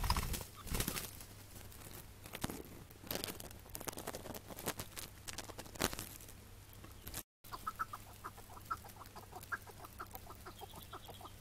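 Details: Chukar partridge, a male caught on a May 2017 morning and then released, gives a fast run of clucking chuk notes, about three a second, after several seconds of rustling, handling noise and low hum.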